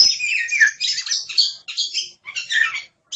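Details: Oriental magpie-robin, called kacer, giving loud harsh chattering and scratchy phrases in bursts of about half a second, with a few whistled notes mixed in.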